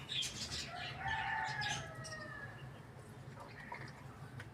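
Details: Rooster crowing loudly in the morning: one drawn-out crow of about two seconds that falls away at its end, then quieter fading notes. Small birds chirp in the background over a steady low hum.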